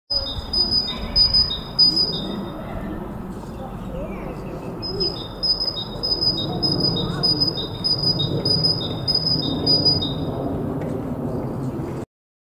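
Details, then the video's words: A great tit (Parus major major) calls, repeating a bright two-note phrase, a high note then a lower one, in quick runs of about five, over a steady low outdoor rumble. "Kohlmeise rufend"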